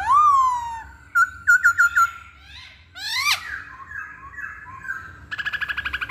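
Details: Hwamei song: a loud rising-and-falling whistle, then a quick series of five short bright notes, a steeply rising swept whistle, some softer wavering phrases, and a fast buzzy trill at the end.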